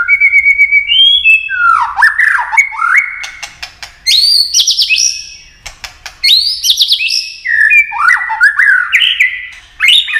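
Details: Many-voiced white-rumped shama song used to stir rivals into fiery singing. Rich whistled phrases rise and fall in quick steps, with sharp clicks between them, coming in two long bursts separated by a quieter gap.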